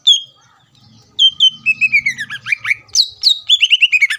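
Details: Greater green leafbird singing to provoke rival leafbirds into singing: a long whistled note, then quick descending slurred whistles and rapid sharp chirps repeated in a lively run.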